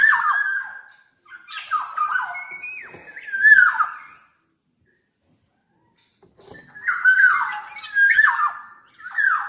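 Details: Black-naped oriole singing repeatedly: clusters of mellow whistled notes with downward slurs and soft clicking sounds, a silent gap of about two seconds, then more whistled phrases.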